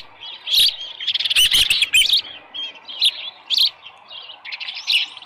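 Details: Osprey nest, Dunrovin Ranch, 24 July 2018 around dawn with a headless fish. Scattered high whistled chirps arrive in brief bursts, one denser flurry early, then spaced single squeals.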